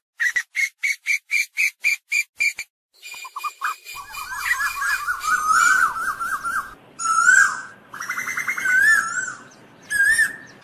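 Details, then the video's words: Asian koel calling the flock: a fast run of eight sharp, evenly spaced whistled notes, then a tangle of overlapping rising and wavering whistles from several birds, with louder bursts near the end. "Tiếng chim Tu Hú gọi bầy"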